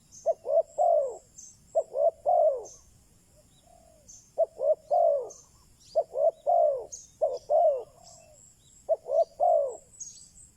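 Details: A decoy spotted dove coos to lure wild doves: phrases of two clipped notes and a longer falling coo repeated in regular bursts, one quieter low coo between, and faint high chirping overhead.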